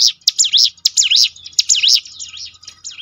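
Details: Prinia (ciblek gunung) for training birds to sing more often: bright, high notes that fall and rise, delivered in quick uneven bursts, with faint low noise.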